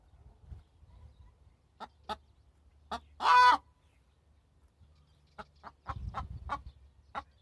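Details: Hen raised on a farm: a single loud, rough squawk lasting half a second, framed by scattered soft clucks and clicks over a low rumbling background.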